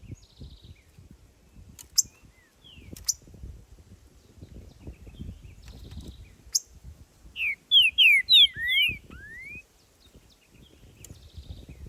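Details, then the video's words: Green-winged saltator singing in nature: after scattered faint chips, a loud phrase of five clear slurred whistles, rising and falling, ending on a long upward-sliding note, with brief buzzy trills from another bird and low background rumble. "Trinca-ferro cantando na natureza"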